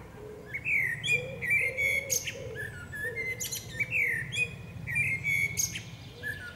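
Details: Female common blackbird singing in forest: repeated mellow whistled phrases, each closing with a sharp high squeak, over a faint low cooing in the background.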